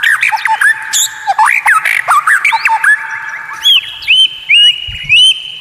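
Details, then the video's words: White-rumped shama (murai batu) tutor song with unusual, rare notes said to enrage rivals: a dense jumble of varied slurred whistles and chips, ending in four repeated rising-and-falling whistled phrases. "Masteran murai batu Suara Aneh unik langka bikin lawan ngamuk sambar materi"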